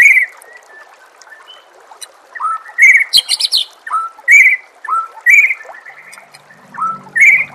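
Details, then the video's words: Master-song recording of a White-rumped shama amid nature sounds and trickling water: loud clear whistled phrases repeated about once a second, each a bright note dropping then rising, with one harsh buzzy burst. "murai batu anda dengar suara MASTERAN burung seperti ini"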